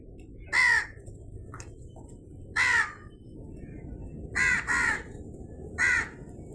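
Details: Crow giving five harsh, hoarse caws spaced irregularly, two of them close together near the end, over a steady low background rumble.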